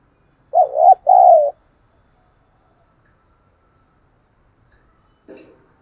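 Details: Spotted dove cooing, used to prompt wild-caught and decoy doves to coo: two low hoarse coo notes in quick succession, then a long silence and a faint low rasp near the end.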